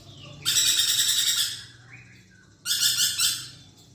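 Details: A chattering lorikeet, recorded for songbird training: a one-second burst of coarse, buzzy, pulsed screeching, a short low slurred note, then a second harsh burst that starts and stops abruptly.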